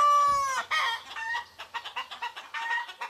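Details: Rooster crowing in the morning in rural Greece among hens and turkeys; a drawn-out harmonic crow opens, followed by a quick series of short, rhythmic clucks repeated about four times a second.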